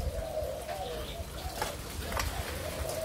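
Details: Spotted dove of a Malaysia-Thailand line, recorded 27 September 2022, gives low, soft, wavering cooing that runs almost unbroken through the clip, with brief clicks and a steady low rumble underneath.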